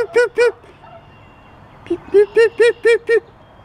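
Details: Wild turkeys, many of them, fighting and purring: a pair of clear, arched notes, then a run of five evenly spaced notes about four per second, over a faint hum, with coyotes in the background.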